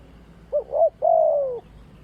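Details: Spotted dove calling during decoy trapping; a brief note, a swelling second note, then a long smooth coo sliding slightly downward.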